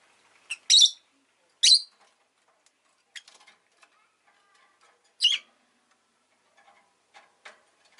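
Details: Sharp, buzzy chirps from a pet rosy-faced lovebird: two loud calls in the first two seconds and a third near five seconds, with light clicks and rustles between.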